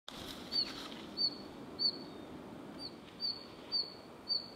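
A Red-flanked bluetail gives short, thin, high whistled notes, one roughly every half second to second, over a soft hiss of background noise.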